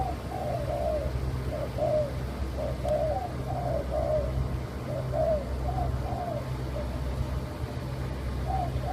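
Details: Leopard-coloured spotted dove variety, known as white derkuku, giving a run of mellow, low-pitched coos in short grouped phrases, one after another, with a steady low droning hum behind.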